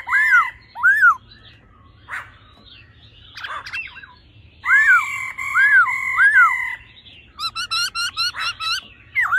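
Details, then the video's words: Laughingthrush pair, female churring and male singing in a mature wild voice to excite males: two arched whistles, scattered squawky notes, then sustained whistles with rising-falling loops, ending in a quick run of sharp, high chirps. "khướu mái ro +trống hót giọng già rừng.kích trống nhanh căng lửa"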